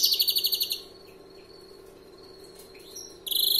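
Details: European greenfinch, a first-year 'novel' bird of long-phrased 'larguero' style, sings: a loud, pulsed, buzzing trill of about three-quarters of a second opens, a quiet pause with faint twitters follows, then another rapid trill begins.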